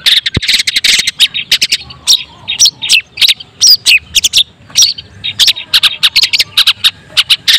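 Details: White-breasted long-tailed shrike in full song, used to provoke other shrikes into singing: fast, harsh, scratchy chattering notes packed in bursts, with brief gaps and loud squeaky accents throughout.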